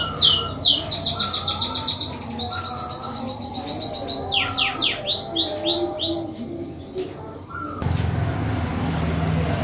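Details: White-headed munia singing an unusual song: rapid series of high, thin downslurred notes, each sweep repeated several times a second, broken by short pauses and swooping slurs, with a low hum and a steady rustling noise underneath.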